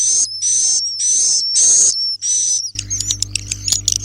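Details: ['Swiftlet roosting call, known locally as walet inap: five loud, harsh, high chirps of even length come in quick succession. A thin whistle line sits on top of each. They then give way to busy clicking chatter over a droning hum.']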